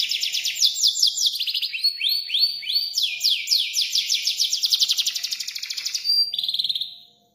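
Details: Canary in full song, a clean recording with no other sounds. Rapid bright trills made of quickly repeated swept notes, with a change in pitch and speed every second or so, ending in a steady high trill that fades out.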